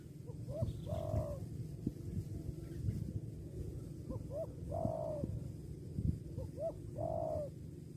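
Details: Spotted dove calling: short rising coos followed by a longer, level hooting note, repeated three times over eight seconds, with low rumbling background noise.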